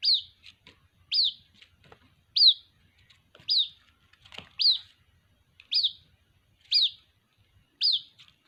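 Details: White-breasted waterhen chick repeatedly calling its mother: eight high, clipped, falling peeps at a steady pace of about one per second, with soft ticks between them.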